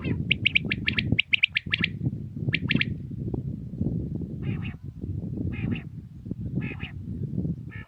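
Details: In early morning in Pakistan, a common quail sings rapid bursts of sharp, liquid notes, then short clipped phrases about once a second, over a steady low rumble of wind or background noise.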